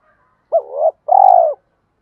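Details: Decoy spotted dove calling to provoke males: a pair of long, burry, hollow coos, the first undulating and the second evenly throbbing, with a faint click midway.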